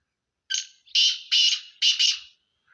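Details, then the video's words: Black francolin, the Sindhi kala teetar, giving one full harsh call phrase: a short grating opener, then four loud rasping, buzzy notes in quick pairs, all bright and broadband, against silence. "سندھی کالے تیترکی مکس آوازیں"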